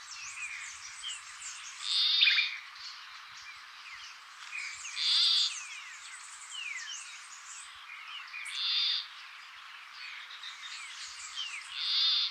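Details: Peruvian plantcutter, an endangered bird of northern Peru, repeating a harsh nasal croak four times at roughly three-second intervals, each burst short and buzzy, over a busy chorus of thin whistles and chirps from other birds.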